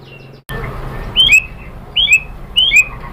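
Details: White-rumped shama, played to make other shamas answer: three short, bright whistled notes, each rising then sliding down, spaced under a second apart, over a quiet low hum.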